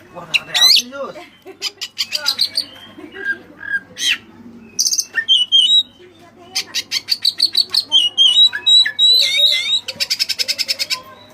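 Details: Long, lively song of a white-breasted white-rumped shama filled with Cililin phrases: whistled slides and chips giving way to fast repeated rattling trills and bright warbled whistles, nearly continuous.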